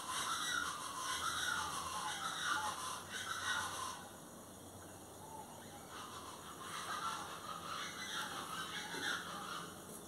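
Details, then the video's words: Plain chachalacas (Ortalis vetula) calling, with harsh raspy notes in rapid bursts that fade after four seconds and then return, over a steady hiss of insects or background noise. "chachalacas del golfo ( Ortalis vetula)"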